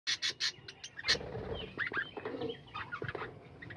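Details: Captive budgerigars calling together in a home colony aviary, a dense mix of short chirps, warbles and squawks with bursts of louder chattering and faint background hum.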